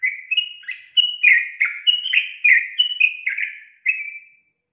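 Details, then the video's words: A female yellow-vented bulbul's call, said to set males answering, runs as a cheerful, babbling chain of downslurred notes for over four seconds, ending in a single drawn-out falling whistle. "SUARA GACOR TRUCUKAN BETINA YANG BUAT JANTAN NGIKUT NYAUT GACOR"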